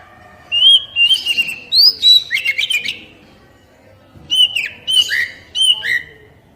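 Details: Oriental magpie-robin (kacer) song to stimulate captive birds: loud, varied phrases of whistles, upslurs and downslurs with sharp chips, one burst followed by a pause and a second shorter phrase.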